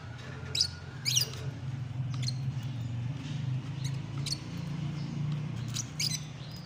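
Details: Shrill, piercing lovebird squeaks in quick pairs early on, then scattered fainter chirps, over an even low hum.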